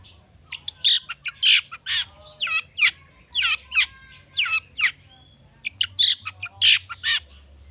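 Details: Long-tailed shrike in agitated song full of rich mimicked fill-in phrases, used to prompt other birds to sing: high buzzy and whistled notes, rapid rising and falling sweeps in short bursts with brief pauses.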